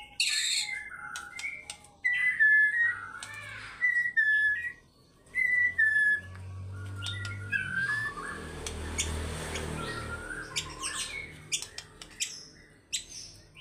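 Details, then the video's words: White-rumped shama delivering fighter-style song with varied phrases: loud whistled slurs and sharp clicks in bursts, broken by a long stretch of rushing noise and low rumble, then scattered high notes. "MURAI BATU GACOR FIGHTER BONGKAR ISIAN"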